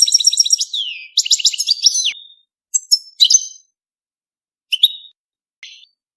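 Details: European goldfinch singing a mating song: bursts of bright, twittering, buzzy trills in the high register, with quick descending slurs, followed by short separated chirps and gaps of silence.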